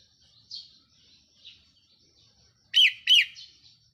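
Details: Red-whiskered bulbul used as a decoy bird, recorded 4 May 2023; faint high warbling at first, then two loud rising-falling whistled notes in quick succession near the end.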